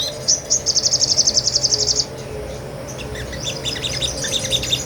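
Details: Small nectar-eating sunbird in vigorous song, recorded with a Sony A6400 for tutoring songbirds. A high, fast trill of about fifteen even pulses for two seconds, followed by softer scattered twittering notes over low background hum.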